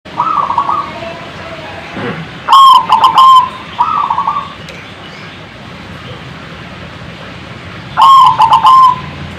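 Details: Zebra dove calling to provoke other birds to answer: loud stuttering coos with trilled, rattling notes, two bursts about five seconds apart, with a softer quavering whistle between them.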